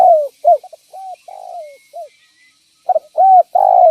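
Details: Vigorous calling of a spotted dove used to lure and trap others of its kind: soft mellow coos, some short and some drawn out and sliding down, then about a second of quiet before the throaty coos start again.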